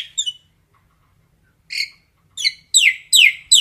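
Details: Common myna calling the flock, a few short sharp notes then a run of loud, steeply descending harsh calls repeated about every third of a second.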